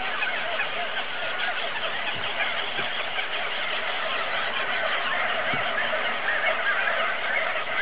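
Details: A dense, steady chorus of auklets from a crowded colony on Buldir Island: countless overlapping chattering, honking calls blend into one continuous roar with no single voice standing out.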